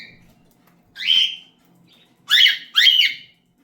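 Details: Loud, grating cockatiel calls: a single rising-falling screech, then two quick harsh notes close together, in a quiet room.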